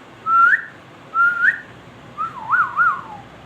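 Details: Ringneck parrot whistling two short notes, each held steady and then lifting at the end. A longer phrase follows that undulates up and down before trailing off lower.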